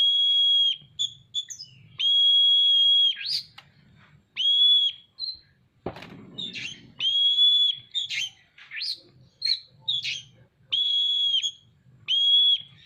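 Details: An Oriental magpie-robin in strong song with its tail spread repeats long steady whistles roughly every two seconds, mixed with short chirps and flourishes. There is one sharp knock midway and a faint low hum.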